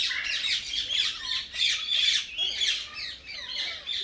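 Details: Tamed pet common myna uttering dense bursts of harsh, rasping squawks in uneven groups, with short pauses between the noisy phrases.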